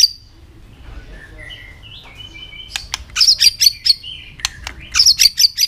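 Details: White-rumped shama training song: soft whistled notes near the start, then bursts of sharp high clicks and rapid chattering trills in two clusters, fairly loud, over a quiet background.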